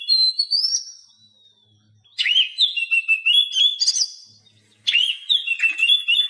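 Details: Oriental magpie-robin song played to get silent captive birds singing: three loud bursts of mixed whistles and chattering notes, each about two seconds long and separated by short quiet gaps.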